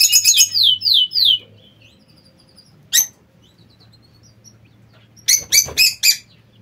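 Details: A king quail kept in an aviary gives a quick run of high, thin, falling whistles, then sharp squeaky chirps in two bursts. A low steady hum runs underneath.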